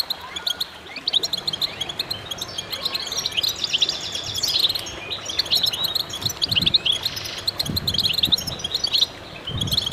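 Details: Goldfinches in a singing chorus, many birds at once: a steady wash of bright, high, rapid twitters and jingling trills, slightly rougher low background rumble underneath, a few soft thumps.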